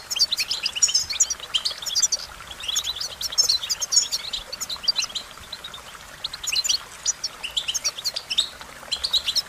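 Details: American goldfinch twittering continuously: rapid high-pitched chirps, warbles and thin slurred notes in long, dense runs with a couple of brief lulls.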